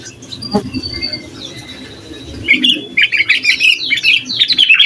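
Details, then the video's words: Sooty-headed bulbul, recorded to rile other bulbuls and train young ones, begins with faint thin notes, then breaks into rapid bubbling chatter of short notes for the last two seconds. "Suara Asli Burung Kutilang Gacor Bikin Emosi Kutilang Lain"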